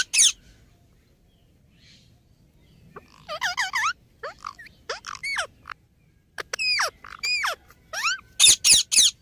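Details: Indian ringneck parakeet chattering: varied short harmonic syllables and sweeping whistled notes in irregular runs, ending with several loud harsh screeches close together.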